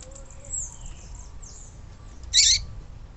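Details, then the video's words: Recording of a female yellow-bellied seedeater, used to excite males and bring them into song: faint thin chirps, then one loud, buzzy, high-pitched chatter lasting about a quarter second, over a low background rumble. "Papa capim fêmea levanta defunto"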